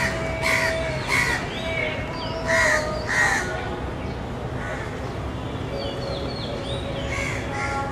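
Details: Crow chicks in the nest calling their mother: hoarse, nasal caws repeated in pairs and short bursts, with faint higher calls of other birds and a steady background hiss.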